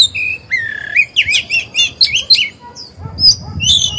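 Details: Singing oriental magpie-robin, a decoy bird used to spur other birds to sing: long, wavering whistles are followed by a dense, jumbled warble of rising and falling notes, then scattered high chips.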